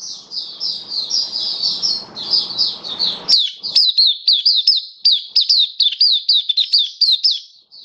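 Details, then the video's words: Caged Oriental white-eye singing continuously on 27 October 2022: a blurred twitter giving way to crisp, rapid down-slurred chirps around ninety per minute, with faint room noise at first. "Mata Puteh Kitaro Buka Sing"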